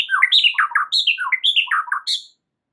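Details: White-rumped shama song on a masteran meant to help stressed birds: quick, scratchy, chattering phrases that jump between high and lower notes, delivered as a dense burst before stopping abruptly.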